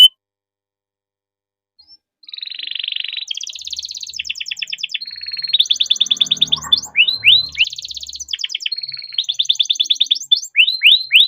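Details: Domestic canary in long rolling song used as a singing prompt for other canaries: about two seconds of quiet, then a buzzy phrase followed by rapid trills and repeated sweeping whistled notes.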